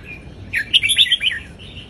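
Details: One short bright warbled phrase of a red-whiskered bulbul, Indonesian southern folk-style song played for teaching young birds, rising into a quick rippling flourish over soft hiss.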